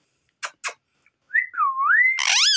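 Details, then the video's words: Pet talking parrot indoors: two short breathy bursts, then a smooth wavering whistle rising and falling, ending in a loud harsh rasping squawk. "बोलने वाले तोते की आवाज || Speaking Parrot || Talking Parrot"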